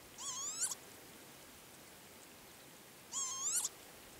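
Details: Male northern lapwing at the Azot bio-ponds near Berezhany village gives two wheezy, nasal calls about three seconds apart. Each slurs upward and ends in a sharp rising-then-falling flick, over a soft steady hiss.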